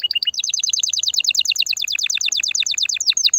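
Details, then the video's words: Canary song intended to prepare females for mating and nest building: a few short whistled notes leading into a long, even, rapid rolling trill. "تغريد كناري هائج , لتجهيز الاناث على التزاوج , و بناء العش فورا"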